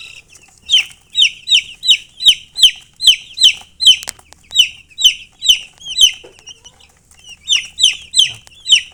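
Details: Baby chicks chirping steadily, a run of loud high falling peeps about three per second, pausing briefly near the seventh second before resuming.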